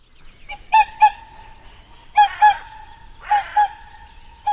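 Whooper swan giving loud, brassy trumpeting honks in paired notes, the pairs repeated about every one to one and a half seconds over a quiet background.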